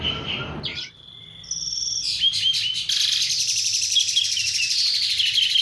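Asian pied starling giving its natural rolling song, a continuous run of high whistles, chatters and buzzy notes that builds and carries on without pause.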